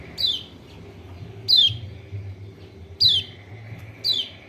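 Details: Repeated white-eye lure call meant to stimulate a quiet caged bird to sing: four piercing high chirps, each dropping steeply in pitch, at irregular intervals over a low background murmur.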